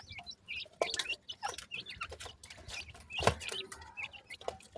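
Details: Grey francolin chicks calling: short high cheeping chirps, some with rising and falling pitch, given in quick scattered bursts over steady clicking and scratching noises.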